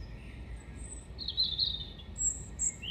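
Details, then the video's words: Erithacus rubecula, a European robin, in song at Hengelo on 5 May 2018, giving a few piercing high notes and a slurred warbled whistle, over a faint steady low hum. "Roodborst zingt"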